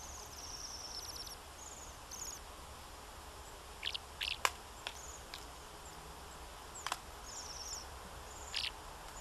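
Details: Bohemian waxwing calls: several faint, very high, thin trills scattered through the recording, with a few sharper lower chirps and brief clicks among them against steady background hiss.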